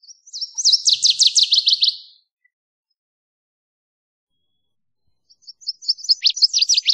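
A Northern waterthrush sings two loud, ringing phrases of rapid sweet chips that speed up toward the end, with a short silence between them.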